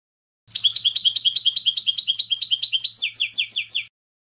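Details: Clean European goldfinch song: quick bubbling twittered notes for over two seconds, then four slower, emphatic downslurred notes; faint low hum underneath.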